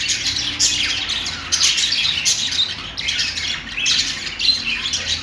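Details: Singing budgerigars give pulsing bursts of harsh squawks and twittering chirps, loud and overlapping, separated by slight lulls roughly every second.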